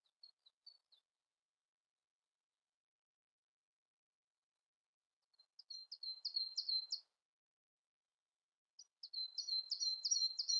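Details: A Siberian blue robin: a few faint high ticks, then after a pause two bursts of rapid, high, rattling stuttered notes about three seconds apart.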